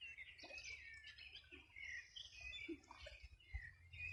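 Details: Birds in a riverside chorus by the Rio Bueno, Los Ríos Region, summer morning 2020. Busy high twittering and looping warbles overlap continuously, with a few lower clucking notes and soft low-frequency rumble beneath.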